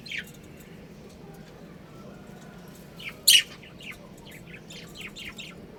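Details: Pet budgerigars in a colony chirping: scattered brief high chirps, one louder sharp note near the middle, then a run of quick short tweets over a low steady background hum.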